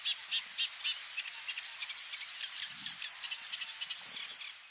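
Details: Eurasian reed warbler, subspecies scirpaceus, in the Camargue, France, May 2021, delivering steady grating song: a few louder repeated chirps open, then rapid monotonous chattering notes roughly three or four per second, under faint hiss.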